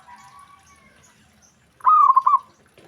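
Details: Perkutut, the zebra dove, said to trigger immediate responses from other doves; faint drawn-out tones at first, then one loud cooing phrase of a gliding note followed by quick stuttering beats.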